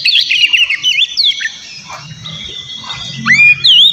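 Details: White-rumped shama song aimed at provoking a rival; a few fast whistled phrases at the start and end, with a quieter gap and low background hum between.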